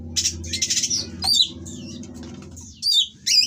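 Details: Breeding-condition Oriental magpie-robin delivering rough song to provoke rivals: a scratchy high burst, then pauses and sharp squeaky whistled notes near the end, with a low background hum.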